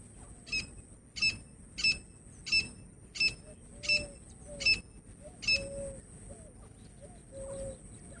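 Grey francolin hen calling: sharp, ringing notes repeated about every two-thirds of a second, eight times, over a steady high electronic whine and soft lower whistles.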